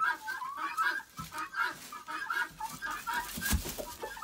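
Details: Penned chickens chattering as feed is brought and the pen cleaned; a rapid, uneven stream of short clucks and chirps, roughly one or two per second, with rustling and scratching underneath.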